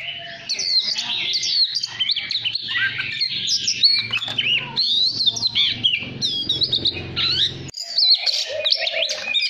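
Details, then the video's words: Oriental magpie-robin, a kept bird singing to rouse other birds into singing: a rich, varied stream of loud whistled phrases, warbles and sharp chirps with quick pitch sweeps, nearly continuous over the clip, with faint low background hum. "Chòe than mồi đất hót gọi bổi kích chim lên lửa"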